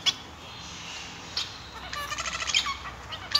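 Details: Male Society finch, also called Bengalese finch, singing: a few sharp high chirps give way to a fast run of buzzy, harmonic-rich notes that stutter and repeat through the second half, ending on a bright high note.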